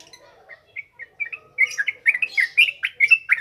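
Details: Yellow-vented bulbul singing in the continuous ngropel ngalas style, used as a lure for untrained birds: scattered short liquid notes build into a quick run of bubbly, chattering phrases rising and falling, roughly two notes per second.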